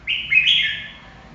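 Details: Red-whiskered bulbul song phrase, one loud bright whistled burst that jumps higher midway and then trails off, over quiet low-pitched background noise.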